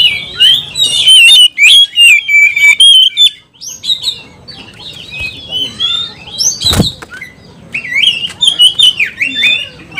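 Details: Over-excited oriental magpie-robin delivering a provoking 'kanibal' song with jumps and somersaults: fast strings of sweet whistles and harsh chatter, a short pause near the middle and one sharp click.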